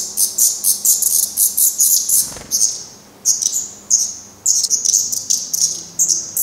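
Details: Black Redstart young at a nest in Portugal, recently trying to fly and fed by the parents; high, clear chirps in quick series broken by a short soft thud and a pause, then more spaced chirps.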